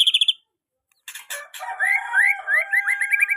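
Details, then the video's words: Young white-rumped shama singing as a tutor for other shamas learning sounds: a burst of high chirps, a short silence, then a quick run of rising whistled notes repeated about twice a second over a steady lower tone. "Murai batu muda cocok untuk masteran burung murai belajar bunyi"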